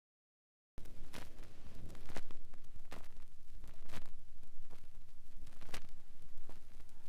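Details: After a brief silence comes steady vinyl surface hiss, broken by irregular crackles and sharp pops, with no animal voice.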